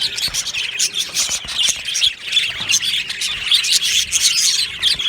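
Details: Aviary of budgerigars chattering on 22 June 2025: loud, harsh squawks and chirps layered over constant high warbling from the flock, pulsing in short bursts.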